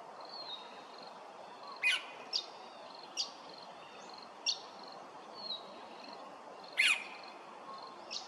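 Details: Australasian figbird at Hervey Bay, Queensland, giving short, sharp, slightly downslurred notes at irregular intervals of about a second, over a thin, steady high whine and soft background hiss.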